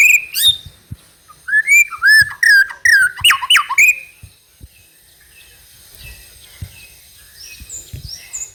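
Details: White-rumped shama song in trotol style, a lure for other birds: a loud phrase of varied whistled notes in the first four seconds, then only faint high calls.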